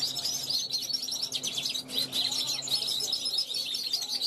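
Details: European goldfinch hatched in 2021, calling from a balcony to passing wild goldfinches; a quick, jingling stream of high chirps and buzzy twitters, steady and dense, over a low steady hum.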